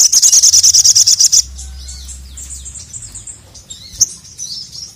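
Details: Crimson sunbird (sogon) calling a male, for training a lazy bird into frenzied song. A fast, regular trill of sharp high pulses runs about 1.4 seconds, then faint thin twitters and one loud click follow.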